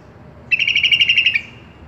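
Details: Sooty-headed bulbul singing on a tutor recording meant for pet bulbuls. A single rapid phrase of about ten bright, evenly spaced chirps lasts under a second and ends on a slightly lower, drawn-out note over faint hiss.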